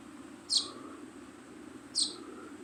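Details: Young sparrow chirping: two brief piercing high notes roughly one and a half seconds apart, with constant hiss and low droning noise behind.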